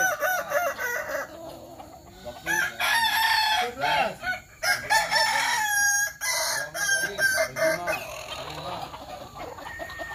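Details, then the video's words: Kukuak Balenggek cockerels crowing at a practice contest in Sawah Lunto. Loud bursts of long, stepped crows from several birds arrive every second or two, with a steady high hiss and murmuring in between. "Latber Ayam Kukuak Balenggek di Sawah Lunto"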